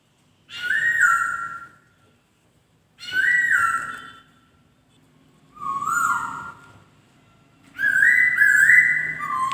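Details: Melodious song of a white-crested laughingthrush, given as four separate whistled phrases about every two and a half seconds. Each phrase rises or falls between mid-pitched notes, and the last one is the longest and most varied. Quiet pauses separate the phrases.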